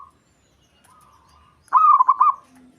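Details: Local zebra dove, aroused and singing to stir up rivals; a faint soft coo first, then one loud rolling phrase of rapid throbbing notes that fades out, with a quiet background.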